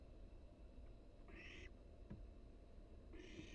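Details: Barn owl chick inside a nest box on a wild-animal live cam, flapping its wings to build strength; two rasping, hiss-like bursts nearly two seconds apart, each about half a second long, against steady low-pitched hum.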